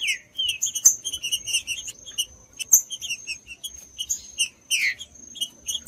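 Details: Warm-up song of a green-winged saltator: short whistled notes and chips in brisk sequences, ending with a louder downward-slurred phrase, over a faint steady high tone.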